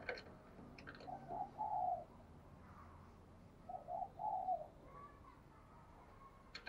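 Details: Spotted dove of the resonant 'đồng kim' or 'đồng chuông' singing style. Two mellow three-note cooing phrases, a few seconds apart, sound against a soft outdoor background with faint chirps.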